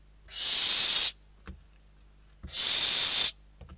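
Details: Barn owl young in Spain struggling for prey at the nest utter two loud, harsh, hissing screeches about a second long, each followed by a short knock.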